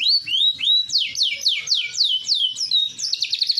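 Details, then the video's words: Large AFS canary with green colouring sings loud, clear descending whistled slurs repeated roughly four times a second, ending in a fast buzzy trill. "Kenari Afs Bigsize Gacoorr dorr"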